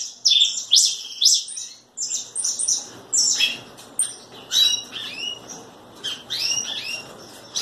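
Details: High, thin chirps and quick slurred notes from a red pileated finch, delivered in irregular short bursts.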